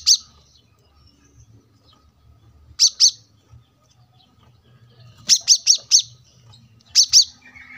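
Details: Brown-throated sunbird masteran recording made to train cage birds: high, sharp, clipped chips given in pairs and a run of four, separated by pauses, over a faint low hum from a roadside setting.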